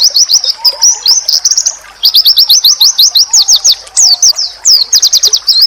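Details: Oriental white-eye singing a training song meant to draw replies from other white-eyes. Rapid, very high chattering phrases of slurred and clipped notes run almost continuously, broken by short gaps.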